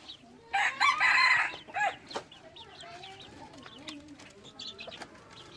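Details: Red junglefowl used as a decoy in Xaysomboun, Laos, gives a loud, full crow lasting over a second with a short tail-off, followed by softer scattered clucks and chirps.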